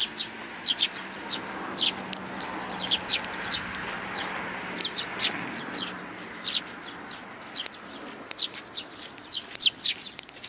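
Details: Three sparrow nestlings, recorded 12 May 2019, giving rapid high thin chirps in irregular bursts, some louder and overlapping, over a steady low background hum.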